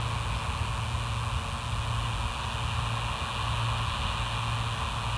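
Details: A steady engine-like rumble and broad hiss, with a low hum pulsing beneath, and no animal calls.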